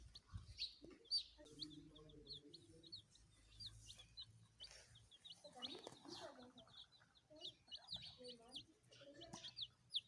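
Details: Baby chickens chirping busily: many quick, high peeps overlapping nonstop, some sliding up or down, with brief lower murmuring sounds in the background.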